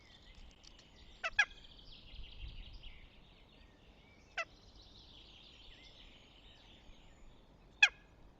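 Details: Northern goshawk at its nest near Tartu, Estonia, 6 May 2025. Three short, sharp, harmonic-rich calls, the first a quick double note, spaced several seconds apart, with a soft songbird chorus behind.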